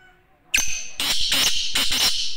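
A black francolin gives a fast run of four loud, harsh, grating notes in under two seconds, the last three close together.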